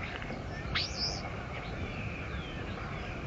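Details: Bald eagle at its nest at the Fort St. Vrain site, 57 feet off the ground, on 14 March 2024: one sharp call sweeping steeply upward, then a short high trailing note, over steady low rumbling background noise.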